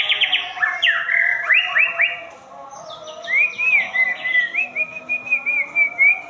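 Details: Fast rising sweeps from a White-rumped shama, then a pause and a long, wavering, clear whistled phrase with rhythmic rises and falls.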